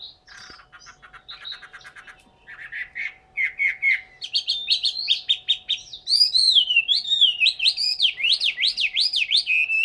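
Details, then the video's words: Caged hwamei from Hanoi, Vietnam, building from quiet ticking chatter into louder repeated whistles and then a fast series of bright up-and-down swooping notes, with a low hum throughout. "chim họa mi"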